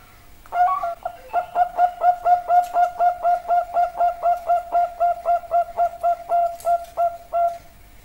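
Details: Zebra dove, known in Java as perkutut, singing a steady run of about twenty short, mellow coos at roughly four per second after a brief opening note, with a quiet background.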